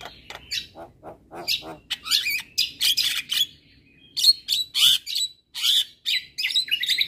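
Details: Javan myna masteran with other myna types, meant to coax reluctant birds into song: rapid harsh chatters and squawks in clustered bursts, mixed with brief whistles and a high wavering trill.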